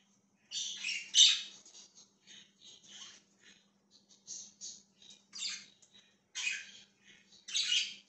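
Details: Chirping budgerigar recorded 20 January 2023: loud raspy squawks early on, then many small clicky chirps and short scratchy bursts spread across eight seconds, with a steady faint hum.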